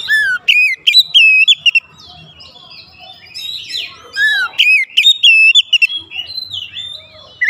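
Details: Oriental magpie-robin singing as a lure to excite other birds: loud, varied whistled phrases with sharp upward and downward slurs, delivered in bursts separated by short quieter gaps.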